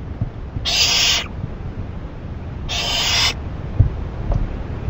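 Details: ['An owl at night on 28 May 2012 with a rabbit as food, shredding it: two softer hissing bursts about two seconds apart, followed by light tapping and scratching.']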